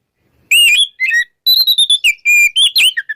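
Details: Morning ngeplong song of an oriental magpie-robin, meant to get silent magpie-robins singing again: bright, ringing whistles in rapid succession, with sliding, slurred notes and short staccato chips, continuous over three seconds.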